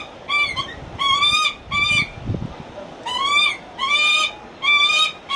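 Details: A lanner falcon at Kakegawa Kachoen bird park gives harsh, whining calls in a sweet, coaxing voice, short and repeated about once a second in stuttering bursts; faint background murmur.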